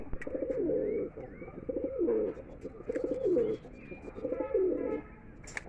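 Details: Domestic Mukhi pigeon from a red, black, yellow and silver collection: deep, warbling coo phrases about a second long, repeated roughly every second with short pauses, a faint higher whistle drifting in the background.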